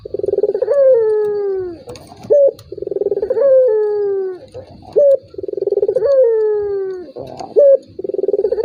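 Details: Turtle dove phrases repeated steadily, about every two and a half seconds, to draw out a reluctant rival. Each is a rolling purr into a long falling coo, punctuated by a brief bright note.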